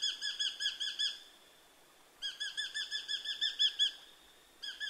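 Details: Repeated bursts of rapid, piercing notes from a Eurasian hobby, three runs of eight to ten notes separated by short pauses, over a soft steady hiss.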